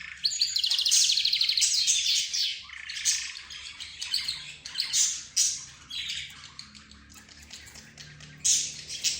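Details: Budgerigars, zebra finches, a canary and the 'roz' bird calling together like a discussion; a dense burst of squawky warbling, then separated bursts of harsh chirps and twitters every second or so.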